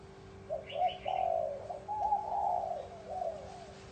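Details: Spotted dove with a bronze-bell voice, cooing and crooning to lure wild birds and stir up males and females; one long, low, wavering coo phrase, preceded by brief high chirps from another bird, over a steady hum.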